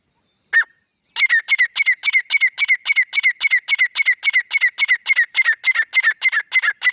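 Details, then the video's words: A male and female grey francolin pair: one sharp opening note, then a rapid, very regular train of harsh ringing notes, more than three per second, running unbroken for almost six seconds. "Nar aur mada teetar ki full masti wali awaz|Grey Partridge Male Female Sound | Female Teetar Awaz"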